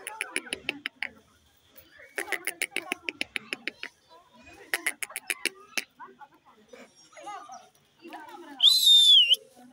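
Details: A pet rose-ringed (ringneck) parakeet in a cage chatters in bursts of raspy, buzzy syllables and speech-like mimicked words, ending with a loud, bright whistle.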